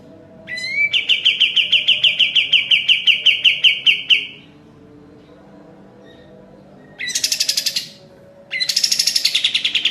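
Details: Sooty-headed bulbul (kapas tembak) in lively 'gacor' form, a master recording for training caged birds: a fast run of sharp repeated chips for about four seconds, then a pause and two harsh, buzzy bursts of rapid notes.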